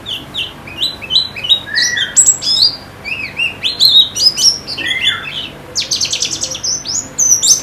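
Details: Therapy song of a white-eye (pleci): varied high chirps and short slurred whistles strung together, occasional lower rising-falling notes, a rapid burst of stacked trills toward the end.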